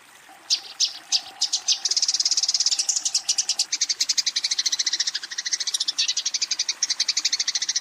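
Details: Eurasian tree sparrow fighting and calling a rival: a fast series of sharp, bright chirps, first spaced then run together in a rapid steady stutter, with a faint low hum in the background early on.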